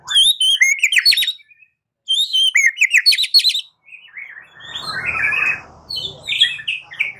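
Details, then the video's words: White-rumped shama song used as a lure to prompt another bird to answer and sing: rapid bursts of high, sharply modulated whistled and chattering notes, a short pause, then more varied phrases over a soft rushing noise. "Pancingan Murai batu 85% Jitu jadikan Murai batu NYAUT NGEPLONG"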